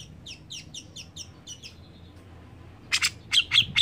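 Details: Sooty-headed bulbul in full, lively song, used as a lure to prompt other birds to sing: a quick series of bubbly chirps at a steady pace, then a short pause and several loud, harsh bursts.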